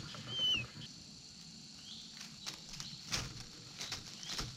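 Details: Eagle chick, excited after its mother brought back a toad, gives one thin, high whistle that slides downward, followed by scattered rustling and tapping sounds.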